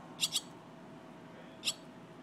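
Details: Young barn swallows in rehab care at feeding time give three shrill, squeaky begging chirps, a quick pair then a single note just over a second later, over a faint quiet background.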